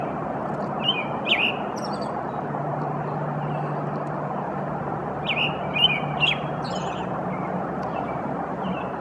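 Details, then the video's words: An American robin sings two bursts of short, clear whistled phrases, rising and falling, with a pause of several seconds between them, over a steady traffic-like rumble. "Song of American Robin"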